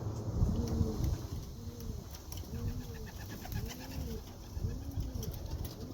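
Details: Young white racing pigeon of the Greek God bloodline, curious and wanting into the breeding loft, gives five deep arched coos in a steady series, each a low rise-and-fall swell, over a rumbling background hum.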